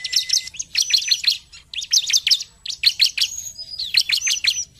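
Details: A bar-winged prinia, a recording used to stimulate prinias to sing, gives fast, shrill, chattering bursts, about four phrases of rapid high notes with brief pauses between them.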